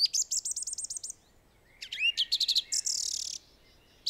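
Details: A screeching gang of common swifts in Britain give shrill, high, buzzy screams in quick repeated bursts, several birds overlapping in a fast-moving chorus.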